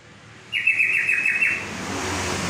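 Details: Song of a yellow-vented bulbul (trocok): a liquid phrase of rapidly linked, wavering notes about one second long, with faint traffic noise behind.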